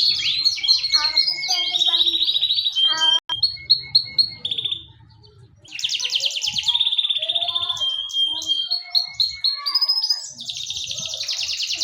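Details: Canary singing continuously in full voice: varied fast trills, chattering phrases and high rolling tours with a short pause midway, plus faint low rustling in the background.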